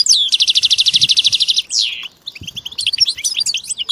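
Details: Several European goldfinches in group song used to coax silent males into singing; a fast regular trill of about eighteen pulses, a loud downslurred sweep, short silence, then scattered bright chirps.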